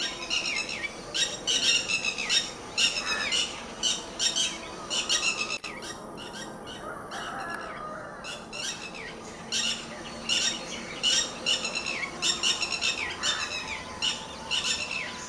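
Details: Red-wattled lapwing fighting with dogs: loud, harsh, piercing calls in rapid irregular bursts. A brief lull comes midway before the frantic calling resumes.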